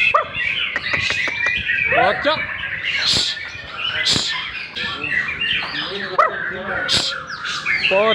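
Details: White-rumped shama, a newly selected young bird singing loudly at a breeding farm: rich varied whistled phrases, rapid chattering and sweeping notes in dense succession, with background noise.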